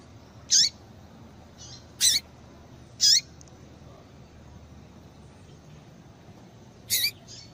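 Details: Call of a female double-collared seedeater (papa-capim), used to excite males so they sing: four sharp, high, downward-slurred chirps at uneven intervals, with a few faint softer notes between them.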